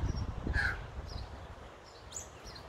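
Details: A fledgling Australian magpie in Melbourne, 2020, on its second day out of the nest and being fed by its parents, gives one harsh, raspy squawk, then a few faint, thin chirps over a low rumble of wind or traffic.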